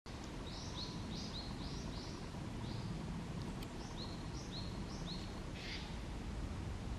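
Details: Wild Black-faced Bunting at Komiya Park, Japan, recorded on 12 February 2024: a run of short, thin, high notes, often in quick pairs, repeated about a dozen times, over a steady low rumble of background noise.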